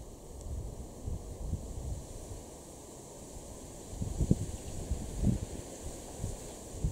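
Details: Gusty wind buffeting the microphone with rustling leaves and low rumbling thumps, no animal calls.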